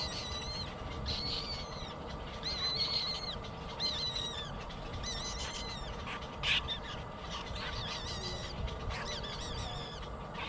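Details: Hungry baby bird crying for food: repeated high, quavering squeals, some long and trembling, others short and clipped, with one sharp click midway and constant low background hum.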